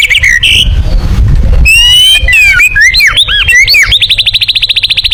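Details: White-rumped shama 'tembakan' song suited to contest birds, opening with noisy rumbling, then looping slurred whistles and ending in a rapid machine-gun run of identical high notes.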